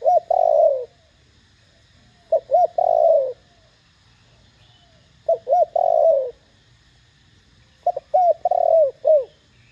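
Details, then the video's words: Spotted dove with a loud, clear Thổ Đồng voice, calling to stir other doves into answering; four cooing phrases roughly every two and a half seconds, each a couple of quick hooked notes then a long, falling coo. "Tiếng cu gáy THỔ ĐỒNG âm To Rõ kích bổi nhanh nổi.Cu gáy GÁY GỌI kích bổi gáy ngay."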